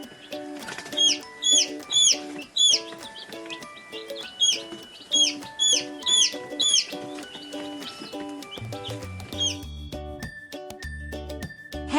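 A chick peeps in bright, high, downslurred notes, in quick clusters of three or four. Steady background music plays throughout and takes over near the end.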